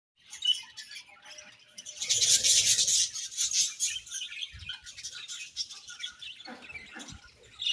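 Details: Happy budgerigars in a colony chirping: dense, scratchy, high-pitched chatter with a louder buzzy burst near the middle, then softer scattered chirps and brief low fluttering noises.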